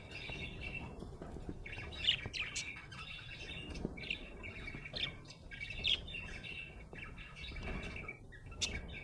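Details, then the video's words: Happy budgerigar chirping in a busy, continuous warble of scratchy chatter, short squeaks and bright whistled notes, with louder sharp peaks now and then over a low background hum. "Happy budgie chirping sound"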